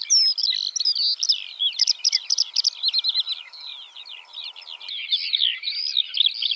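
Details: An unbroken, hurried stream of high lark song mixes warbled whistles with bursts of short clicking notes. A faint low hum runs beneath the first five seconds.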